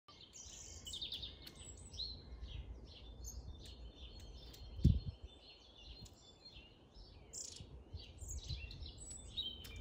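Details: Long-tailed tits calling in Grunewald on 20 March 2021: thin, high chirps and short trilled notes scattered throughout, several birds overlapping, over a steady low rumble of background noise and one brief thud near the middle.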